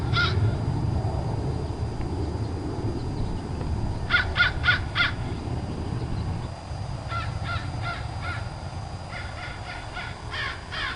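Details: Crow calling in bursts of three to four hoarse, evenly spaced caws, with several series separated by short pauses, over a constant low rumble.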